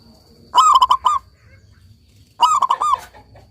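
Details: Local zebra dove singing actively: two short bursts of rapid, clipped cooing notes, about five quick notes each, the second burst coming roughly two seconds after the first.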